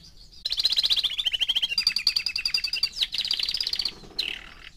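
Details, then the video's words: Four-month-old canary delivering a long rapid trill of repeated chirps, shifting pitch midway, then a second dense trill and a brief closing note. "Кенар №1 ( 4 месяца)"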